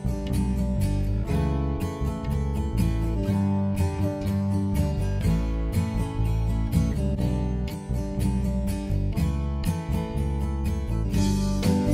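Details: Strummed acoustic guitar music plays throughout, with no animal sounds heard.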